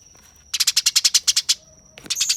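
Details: Eurasian tree sparrow fighting, giving a fast series of about ten rough, buzzy chirps, then a brief pause and a burst of dense, noisy chatter.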